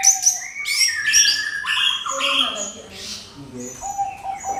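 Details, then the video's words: Orange-headed thrush song as a lure for other songbirds. Busy, varied phrases mix thin high whistles, rasping chirps and downward slides, then quieter, steady low whistled notes near the end. "SUARA MENGKRISTAL ANIS KEMBANG PANCINGAN TIADA LAWAN"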